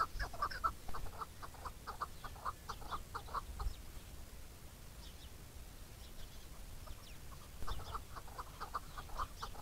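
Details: Chukar calling: a rapid series of short, clucking chuk notes in a steady rhythm for about three seconds, a quieter pause, then another burst near the end, with faint high insect buzzing in the background.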